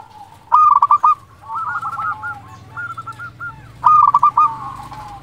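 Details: A local zebra dove from Indonesia with a big voice, kept as a lure to draw replies from other doves. It gives two loud, stuttering, rolling coo phrases, with a fainter wavering phrase between them.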